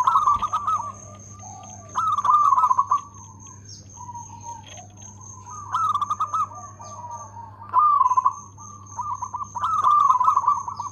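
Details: Local zebra dove singing keenly with a loud voice and good rhythm: repeated bursts of fast, rattling, rolling coos every two to four seconds, with softer coos between. A continuous high tone and low hum are heard.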